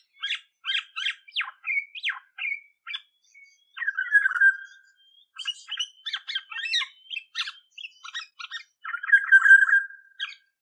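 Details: Olive-backed oriole calling: clipped scratchy chatter and a few brief upslurred notes, then grating nasal squawks, more rapid raspy chatter, and a final prolonged harsh buzzy note, in an otherwise silent background.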